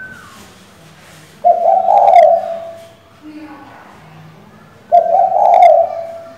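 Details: Low, husky cooing from a female spotted dove calling the male to provoke a decoy bird; two rolling coo phrases about three seconds apart, with a faint brief voice-like sound between them.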